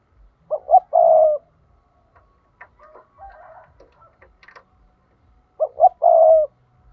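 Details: Spotted dove kept as a trapping decoy, giving its 'thúc' lure call: two phrases of two quick rolling coos and a long buzzy coo, five seconds apart, with scattered clicks and faint chirps in between.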